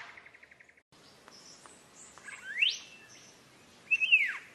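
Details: Green leafbird song used to train cage birds: after a short run of rapid buzzy pulses, loud whistled notes sweep steeply upward, then a ringing whistle rises and falls, with faint high twitters between.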